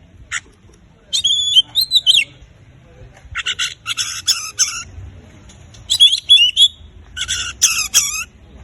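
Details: Oriental magpie-robin in full song, used to prompt silent magpie-robins to sing: bursts of harsh buzzy rattles alternate with high whistled slurred phrases, each burst about a second long with short pauses between, over a low steady hum.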